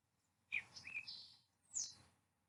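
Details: Green-tailed Towhee in Nevada sings a complex song: a quick jumble of high whistled notes and a buzzy, mechanical trill, then a sharp downward-sliding whistle, with faint background hiss.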